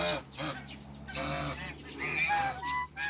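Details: African geese on a waterbird farm, meeting other waterbirds: loud nasal honks with rich harmonics, several overlapping calls rising and falling, with short gaps and a harsher honk near the end.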